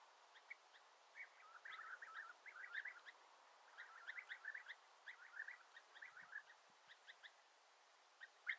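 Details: Several European bee-eaters heard at a distance, soft rolling trilled notes overlapping in loose clusters over a constant background hiss.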